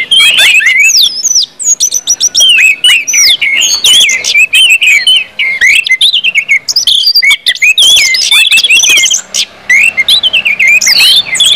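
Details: Orange-headed thrush song compiled to stimulate other birds to sing: rich, continuous warbling of varied whistled slurs and sharp notes, loud and dense throughout with brief gaps.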